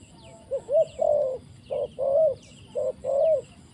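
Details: Repeated coo phrases of a spotted dove during trapping, each a short note then a longer mellow rounded one, three phrases in quick succession with faint high chirps from small birds behind.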